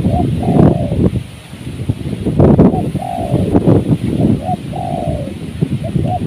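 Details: Spotted dove calling during bird trapping on a windy day: a few drawn-out, slightly falling mid-pitched coos, each preceded by a short note, spaced through the clip and half-buried under strong gusting wind rumble.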